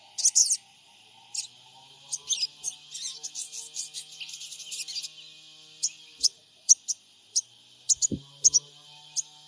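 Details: Lure call of a sogon trotol, recorded by Android phone in Purbalingga to make the bird respond: a burst of dense high twittering at first, then a run of separate sharp high chirps repeated every few tenths of a second.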